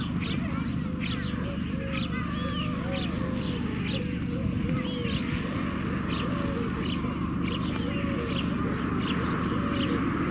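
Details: Hungry white stork nestlings at a webcam nest in Carpinis, Romania, 12 August 2014. Short mewing, arched notes repeat steadily throughout, with fainter higher strands above, all under continuous background noise and low hum.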